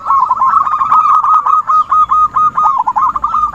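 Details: Lure call of the zebra dove for trapping: a continuous, fast, chattering run of trilled coo notes at a steady pitch, broken by tiny gaps.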